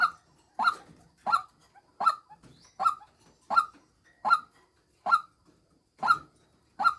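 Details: Decoy female white-breasted waterhen calling a steady series of abrupt, hoarse 'kook' notes, about eighty a minute and somewhat uneven in spacing, with faint softer clucks between them.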